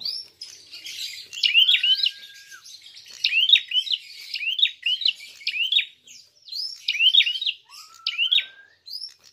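A prinia gives bursts of sharp, high chirps in quick clusters about every second or two, with a few soft lower whistled slides between them.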